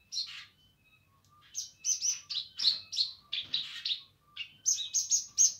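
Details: A streaked spiderhunter, in full active song, sings a fast, uneven run of sharp, scratchy chirps, about three a second, broken by a few thin, lower whistled notes.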